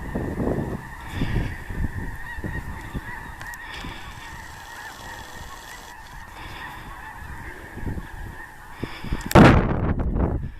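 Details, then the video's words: Snow geese passing through central Illinois at Clinton Lake during a blizzard, February 2016: a steady mass of distant honking from migrating flocks, wind buffeting throughout and a loud gust near the end. "snow geese blizzard Clinton lake, IL"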